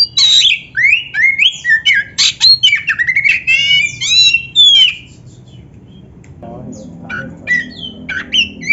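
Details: Kacer, the Oriental magpie-robin, singing a master song meant to train other kept birds; dense whistled and rasping phrases for five seconds, a short pause, then sparser high whistles resume over low hum.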